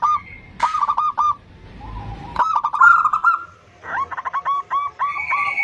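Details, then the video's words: Short bursts of rapid clipped cooing notes from a female zebra dove calling a male, interrupted by brief rustling noise, with a lower, steady note between phrases. "Suara Perkutut BETINA Memanggil JANTAN || The sound of a female turtledove calling male."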